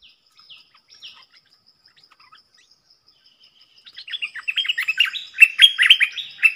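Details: Wild streaked bulbuls, a whole flock coming in to a lure sound: a few soft scattered chirps, then from midway a lively burst of loud, rapid, slurred chattering notes continuing to the end.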